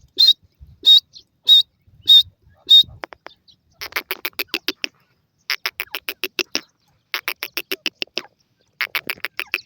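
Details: Francolin known locally as laraka teetar, a male stirred up by a female: four high, clear whistled notes evenly repeated, then long runs of rapid harsh clicking pulses in bursts.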